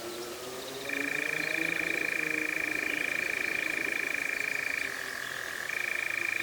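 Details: A European nightjar, the first of 2026, recorded in May around dusk or dawn in the Cefn Ddu forestry, North Wales, UK, gives a steady, mechanical churr: an unbroken dry trill that slips briefly in pitch near the end, over faint low background noise.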